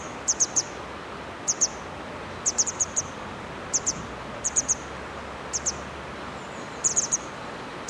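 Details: Grey wagtail by the Hönne river in Menden calling repeatedly: crisp, piercing high zit notes in groups of two to four, a burst every second or so, against a quiet background.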